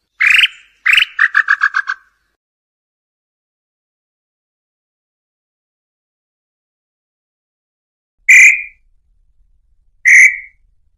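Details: Tataupa tinamou (nambu pé roxo) song, given to attract male and female: two strong whistled notes, then a quick descending, accelerating run of shorter notes, followed after a silence by two more single whistles.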